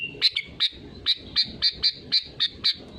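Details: Sooty-headed bulbul in full song as a lure for others: a steady string of about ten short, bright chirps spaced roughly a quarter second apart, with a soft low murmur underneath.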